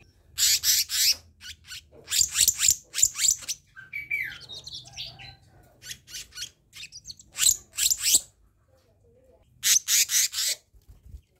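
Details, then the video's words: Black-naped monarch, a training and lure recording: rapid groups of three or four harsh, high, buzzy notes repeated in quick series with short pauses, and a faint scratchy warble in between. "Masteran/Pancingan Kehicap Ranting"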